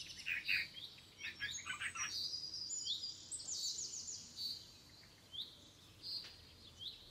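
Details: Red-vented bulbul chicks beg in busy bursts of thin, high chirps and squeaky notes, about one a second, some sharper lower chirps at the start, as the parent feeds them in a home garden.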